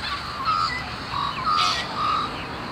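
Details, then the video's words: Long-billed corellas feeding on grass in the sun, staying alert for danger, give short, nasal, wavering calls, about four in under three seconds, over a steady background of other birds. "Long-billed Corellas are keeping an eye out"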